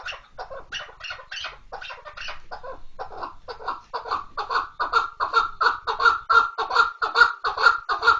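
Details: Chukar partridge, kınalı keklik, calling in a steady series of rhythmic clucking notes, about two to three per second, building in loudness and becoming more regular toward the end.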